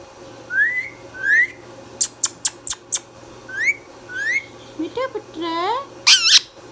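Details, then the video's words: Pet green rose-ringed parakeet indoors gives repeated upslurred whistles, a quick run of sharp clicking squawks, then warbled harmonic notes that rise and a final harsh squawk over a low background hum. "Ringneck Parrot Talking"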